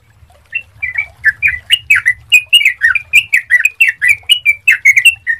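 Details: Clear-voiced Sooty-headed bulbul lure for getting other bulbuls to start singing. Chirps begin sparsely, then build into a steady, quick chain of rising and falling slurred notes, over a faint low hum.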